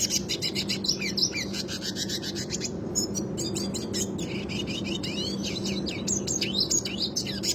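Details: Red siskin singing a classic rolling song used to train other birds; fast chattering trills and buzzy warbled phrases run nearly nonstop, a brief pause near three seconds, over a constant low hum.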